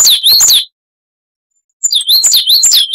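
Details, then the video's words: Coal tit song used as training material for caged songbirds: a quick run of high, slurred two-part notes, a second of silence, then another fast repeated phrase series. "Masteran Burung Gelatik Wucit Panjang Ngalas - Coal Tit"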